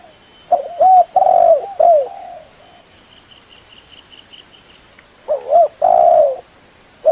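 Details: Spotted dove lure call: two phrases of short looped coos and a long low hoarse coo, separated by about four seconds, with a faint high repeated chirping in the gap.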